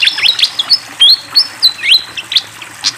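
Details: Fantail giving vigorous song with flowing water: clear whistled notes that slide up or down, spaced irregularly, mixed with quick chirps, about three per second.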